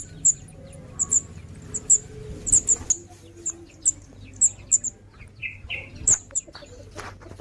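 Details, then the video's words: Scarlet minivet youngster uttering thin, high-pitched chirps at uneven intervals, sometimes paired. A short lower squeaky note appears near six seconds, and faint rustling sounds lie underneath. "anakan cit kemade"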